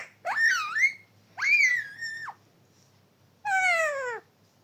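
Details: Three separate speech-like utterances from a talking parrot, each about a second long: a dipping then rising tone, a level held note, and a steadily falling one, with quiet gaps between.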